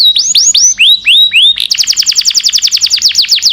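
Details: Long-singing canary suited to tutoring young caged birds: six slow rising-then-falling whistled swoops followed by a crisp, rapid trill of about a dozen notes per second.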